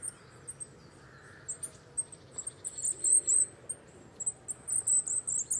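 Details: A coal tit (Periparus ater) gives scattered high, piercing notes that build into a denser, louder series of quick repeated phrases toward the end.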